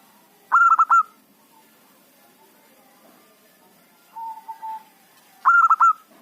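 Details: Local zebra dove singing as a lure for trapping wild birds: two loud bursts of rapid, stuttered, ringing coo notes about five seconds apart, with a softer, lower drawn-out coo between them.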